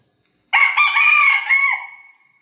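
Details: Crowing Australorp rooster gives a single strong crow that breaks into rough stepped syllables, then stretches into a long held tail that tapers off, with nothing else audible.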